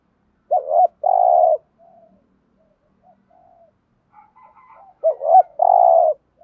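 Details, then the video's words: Spotted dove lure call in the mixed-tone urging style, used to provoke other doves: two low coo phrases, each a wavering double note and a longer steady hoarse coo, separated by a few faint soft sounds. "tho pha thuc gu mồi 5 củ/ tiếng chim cu gáy kích bổi mới hiệu quả nhất hiện nay"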